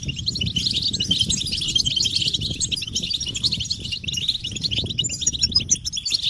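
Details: Collective European goldfinch batbata, meant to make silent males sing: lively high twittering and jingling notes over a steady low rumbling background noise throughout.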